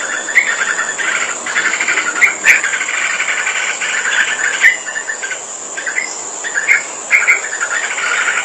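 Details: Busy sooty-headed bulbul song with dense runs of chattering, bubbly notes broken by short pauses and sharper bright chirps, all against a constant high-pitched insect-like whine.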